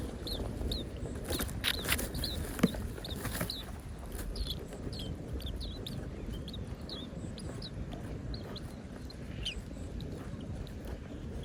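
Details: Parent birds feeding hungry chicks in the nest; short high chirps repeat in scattered bursts throughout, over a steady low rumbling background noise.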